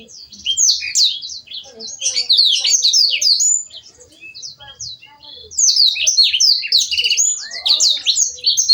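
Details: Canary singing as master song for songbird training: rapid, shrill chirps and warbling sweeps in two long bursts separated by a soft lull.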